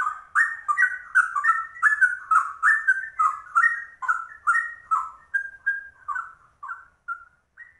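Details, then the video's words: Yellow-vented bulbul (trucuk), called rare, in straw-headed bulbul-style ropel song: a loud, rapid cascade of rich whistles that gradually slows and softens into a few drawn-out, quieter notes at the close. "Trucuk langka ropelannya cucak rowo"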